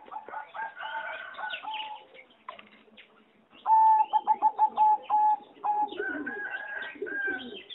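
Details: In an aviary on 26 April 2014, singing zebra doves bred for competition deliver a loud run of rapid, evenly spaced staccato coos after a brief pause, amid a dense backdrop of other dove voices.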